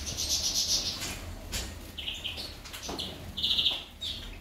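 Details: A female goldfinch utters brief bursts of high, buzzy chirps separated by pauses, with soft fluttering and rustling sounds in between.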